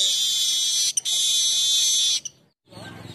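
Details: Weaver song, used as a lure and master for training birds: a sustained, harsh, hissing buzz held for about two seconds, briefly broken once, then fading into quiet background music.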